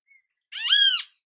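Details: Great kiskadee in natural habitat giving one harsh, nasal, arched call of about half a second, rich in harmonics, preceded by two faint thin whistles.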